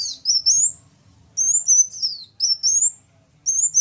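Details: Sunbird in a lively match of two kinds of sunbird: short phrases of thin, high rising whistles, each followed by a falling slur, repeated roughly every second.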